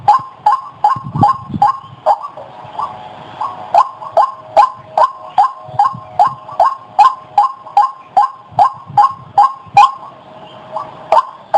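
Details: Long rhythmic run of nearly thirty harsh, croaking notes from a White-breasted waterhen, paced at roughly two and a half per second with a brief faint hum in the background.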